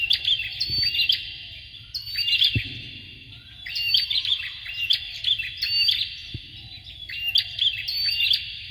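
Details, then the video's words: Male and female Bar-winged prinia serving as song tutors for would-be champion birds; bursts of high, sharp chirping and buzzy rattles in clustered phrases, pausing briefly between groups, with a few low thuds. "BURUNG PRENJAK JANTAN DAN BETINA SIAP UNTUK MASTERAN PANCINGAN CALON JUARA"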